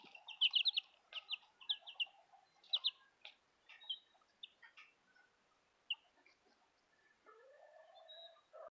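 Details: Several Southern Rambler chicks with a Golden Comet chick, giving quick bursts of high, sharp peeps, some in rapid runs of three or four, over a fainter lower hum that ends in a short rising tone.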